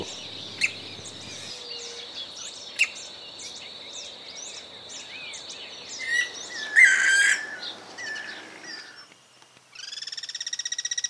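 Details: Green-barred Woodpecker in rural groves of Santa Fe, Argentina, 2023, which gives soft or loud calls, often in duet, gives a loud, rapid series of harsh, even notes after chirps from other birds over a steady insect hum.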